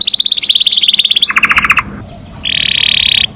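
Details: Canary in master-style song, said to call friends and fight: rapid pulsed trill, then a lower buzzy trill, a short pause and a long steady rattling whistle.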